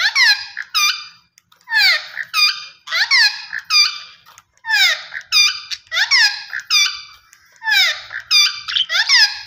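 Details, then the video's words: An Australian parrot gives loud, screechy calls, each a falling squeal followed by a shorter squeak, in close pairs, repeated steadily every second or so in a quiet room. "Australian Parrot Voice Sounds"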